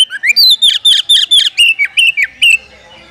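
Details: Oriental magpie-robin challenge call aimed at a fighting rival: a rapid series of about twelve sharp, slurred whistles, rising then dipping, delivered at a steady quick pace before fading into quiet.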